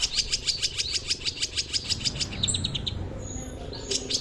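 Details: Long-tailed shrike song, offered as a vocal tutor for other birds: a steady series of short high chirps about four per second, then a softer scratchy warble, over a background hiss.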